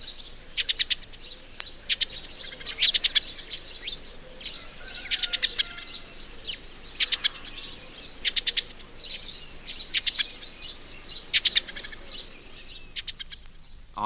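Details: Eurasian tree sparrow in a suburban garden setting in England, giving its sharp, incisive chipping call in quick clusters of three to five, high-pitched and repeated every second or two, over a faint rural background.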